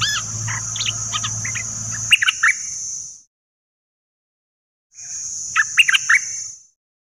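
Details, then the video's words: Dok Taeng bird singing, played to coach young birds and stir birds up: tumbling high chirps, then silence, then a short burst of sharp upswept notes, backed by a steady high whine. "เสียงนกดอกแตงEp.2 ใช้หัดลูกนก เปิดให้นกคึก!!"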